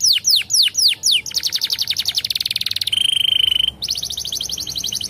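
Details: Song of a canary, played to spark breeding readiness in young birds: a few swooping whistles, then quick pulsed trills, a sustained high buzzing tone, and another rapid trill.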